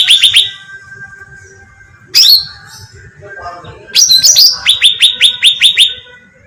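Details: Cucak ranting bulbul in a bait recording for attracting birds: a short chirp cluster, one loud harsh note, then a fast string of about ten sharp repeated chirps.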